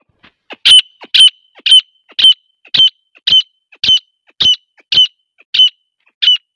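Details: Female grey francolin calling: loud, harsh, upward-ringing notes repeated about twice a second in a steady series, each with a bright high overtone, with faint soft clicks between calls and no other sounds.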